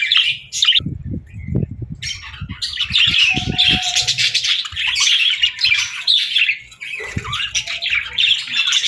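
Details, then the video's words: Friendly pet budgie, cheerful and playing, gives a rapid, busy warble of high chirps and twitters that flows steadily after a short opening call. Soft low thumps and tapping sounds mix in near the start. "Happy Budgie Sounds"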